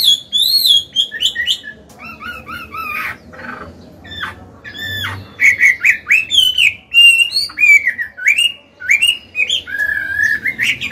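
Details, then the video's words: Mature forest-voiced Chinese hwamei, a kept songbird, singing to train newly caught birds and spur males to sing: loud, varied whistled phrases, slurred up and down, with quick note bursts and brief pauses between runs. "Họa mi già giọng cực hay, luyện bổi, kích trống hót hay"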